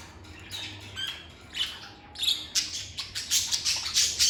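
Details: Lovebirds kept as pets, heard at first with soft, scattered squeaks and whistled notes, then breaking into a fast, steady series of loud, harsh high chirps toward the end.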